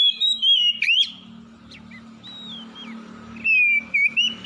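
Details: Oriental magpie-robins answering each other in the morning, a harsh-style lure recording: loud clear whistles sliding around a steady pitch, a sharp burst near one second, then a quiet gap with a low hum before a long rising whistle resumes.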